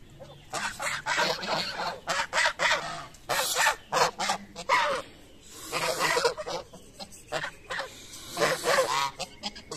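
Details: Geese feeding in the morning give repeated rough honks in uneven bursts of several calls, sometimes overlapping, with brief quieter gaps and a faint low hum throughout.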